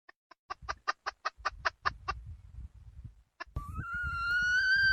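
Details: Wild red junglefowl hen: a string of quick soft clucks, a short pause with faint low rustling, then one clear sustained whistled note that rises slightly and holds steady.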